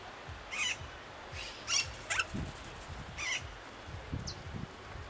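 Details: Austral parakeet (Enicognathus ferrugineus) at Laguna Parrillar National Reserve, Magallanes Region, Chile, giving harsh, grating screeches in four or five short bursts about a second apart, over low wind rumble.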